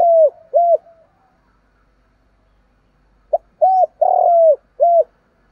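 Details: Decoy spotted dove cooing in the morning to draw in wild males; the tail of one phrase, a pause of about two seconds, then a full phrase: a quick note, a coo, a long sustained coo and a closing coo.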